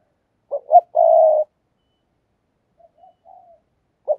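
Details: Spotted dove kept as a decoy, calling. A quick pair of short notes leads into one long steady low coo. Then come faint soft murmurs, and another short note at the end.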